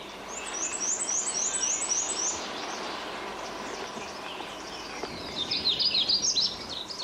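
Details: Magnolia Warbler singing a quick, high series of about eight sweet, slurred notes, then a second high warbled phrase, with faint background, recorded during a point-count songbird survey in boreal forest in the north of the province.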